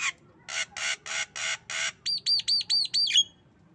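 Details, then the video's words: Tame female Javan myna, kept as a talking bird, giving its coughing and laughing sounds: six harsh, broadband coughing bursts at an even pace, then a quick string of five arched, whistled laughing notes. "Jalak kebo Batuk Dan Ketawa"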